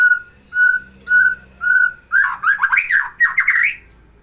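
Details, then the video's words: White-rumped shama singing, meant to stir a female into breeding condition: four clear, level whistled notes about half a second apart, then a rapid run of rich warbled, up-and-down phrases. "kicauan murai batu biar pancing birahi betina"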